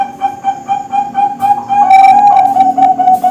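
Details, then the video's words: Young captive Bangkok-type zebra dove used as training song for contest birds: faint rapid repeated notes at first, then a louder, sustained wavering coo held for over a second, with clipped notes trailing off. "Suara Masteran Perkutut Bangkok"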